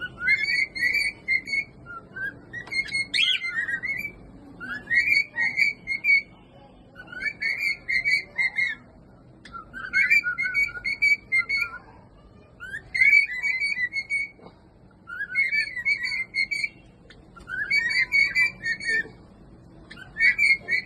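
Cockatiels sing in bright warbling whistled phrases, repeated in bursts every two seconds or so.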